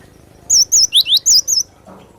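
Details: Cinereous tit singing to excite and tutor other birds: a clean burst of five or six shrill, wavy whistled notes with two sharply rising slurs in the middle, delivered in about one second.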